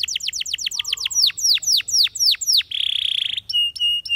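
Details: Spanish Timbrado canary: a quick series of falling whistled notes slowing into broader downslurs, then a brief buzzy roll and clear, flat metallic tones repeated in short bursts.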